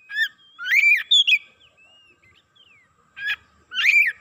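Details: Excited Oriental magpie-robin giving loud arching whistled phrases, joined by soft thin slurred notes between them, and ending with two more bright bursts.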